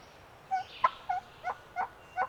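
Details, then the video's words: Male wild turkey gobbling from the roost on a spring morning in the remote hills of Pennsylvania public land, late season; six short, throaty, mid-pitched bursts about a third of a second apart over faint hiss. "GOBBLING bird"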